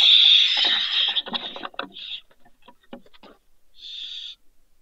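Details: Two barn owl chicks fallen from a balcony, Riet Vell reserve, Ebro Delta, Spain, December: a loud rasping hiss fading into handling clicks and knocks, then a shorter hissing burst near the end.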